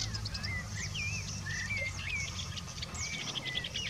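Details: Woodchat shrike, known locally as bouares or boulhenni, singing at Chekfa, Jijel: a run of clear slurred whistles, some rising and some dipping, mixed with sharp high notes, over steady background noise.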